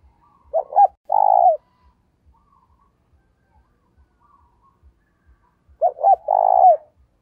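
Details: Decoy spotted dove calling to lure wild doves, giving two loud coo phrases, each two short hooked notes followed by a longer, drawn-out falling coo, with a long silent pause between phrases.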